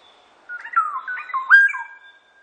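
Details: A black-naped oriole (Oriolus chinensis) sings one rich, fluty phrase of slurred, liquid whistles that rise and fall over about a second and a half, in an otherwise quiet setting.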